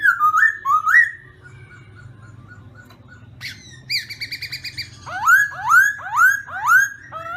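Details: Black-throated laughingthrush singing at morning voice training. Rising whistles in pairs are followed by soft, faint notes, a buzzy chattering burst, and then a strong run of five ringing, upslurred whistles at an even pace.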